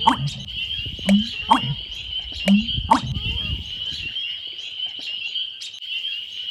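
American Bittern: deep, hollow gulping pumps repeated every second or two, under a steady high insect drone and a few sharp clicks.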